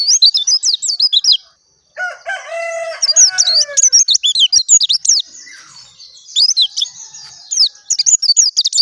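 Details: Oriental white-eye of the dakun type singing: rapid, high, twittering phrases of varied sweeping notes in bursts, broken by a short pause and a lower, harmonic rasping call in the middle.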